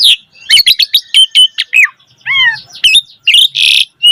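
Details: Javan pied starling singing vigorously, used as a tutor and trigger recording for young starlings: rapid burst of sharp rising whistles, then a few descending slurred notes and a harsh buzzy rasp, all loud and clear.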